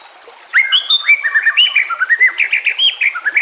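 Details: White-rumped shama song used for training or luring other shamas: a dense rapid stream of varied chirps and whistled slurs, lively and continuous.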